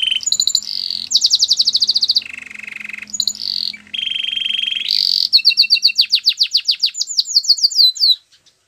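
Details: Canary singing a loud, varied song: fast rattling trills alternate with steady, pure whistled notes, then a long run of quick rising chips, and it ends with a few soft notes.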